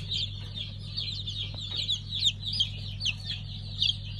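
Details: Five-colour pheasant chicks fresh from hatching, 3 August 2019: a running patter of high thin peeps, a few sharper ones standing out, above a constant low electrical drone.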